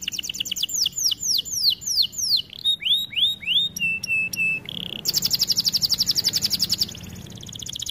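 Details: Canary training song: slow descending whistled slurs, then flat pure tones and a short buzz, followed by a fast bright trill lasting about two seconds.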